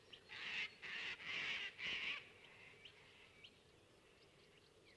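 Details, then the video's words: In a swamp wetland, cockatoos give four harsh, grating alarm screeches in quick succession over about two seconds, then fainter scattered calls, frightening off a pair of teal feeding in the shallows. "there they go frightened off by the alarm call of the cockatoos"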